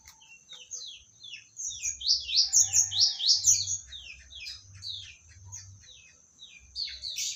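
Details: Medan magpie-robin, recently obtained, delivering a rich rapid song of high slurred whistles and bright chattering phrases that swells in the middle then fades, over a low background hum.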